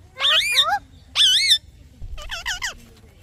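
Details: Parrot chirps: two loud, warbling notes that rise and dip in pitch, followed by a softer cluster of quick, curving chirps.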